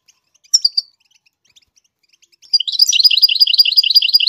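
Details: Goldfinch singing as it teaches chicks to sing: a short twittering note, a lull of faint high ticks, then a fast, continuous jangling run of bright, high notes to the end.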